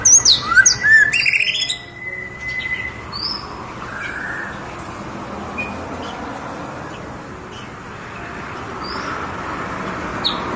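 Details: Tame white-rumped shama singing: bright whistled notes and quick rising and falling trills crowd the first two seconds, then give way to a low steady rumble with a few faint scattered chirps.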